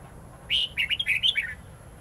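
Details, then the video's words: Red-whiskered bulbul singing a wild-type song used to train young birds: a loud, rich phrase of about a second, a bright opening note followed by quick rolling, twisting whistled notes that slide up and down, over low background hum. "Chào mào hót giọng rừng âm dài xoắn cực hay/Dùng luyện chào mào non,má trắng học giọng rừng"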